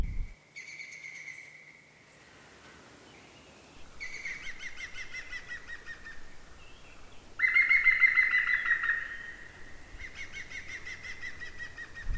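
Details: In spring near an old orchard, European green woodpeckers give loud laughing series of rapid ringing notes, each burst one to two seconds, a second, more distant bird answering during the breeding season.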